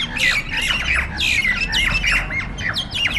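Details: Jalak nias starlings in a heated fight. Loud overlapping rasping squawks and slurred screams pour out almost without pause, over a low-pitched rumbling background.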